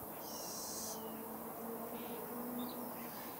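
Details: Fledgling Little Owl giving one drawn-out, hissing, high wheeze lasting almost a second, followed by a quieter, shorter lower note, over a steady background hum.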